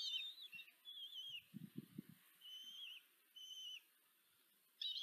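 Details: Nest-camera recording of a female common kestrel feeding her four chicks, Tiszanagyfalu, Hungary, 14 July 2023. Thin, quavering whistled calls repeat in bursts of about half a second, with soft low thumps and rustles from the nest.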